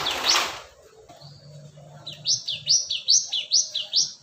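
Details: Lure recording of a cinereous tit from Indonesia: after an initial rustling burst and a soft low hum, six or seven clear, loud, rising-then-falling notes repeat at a steady pace.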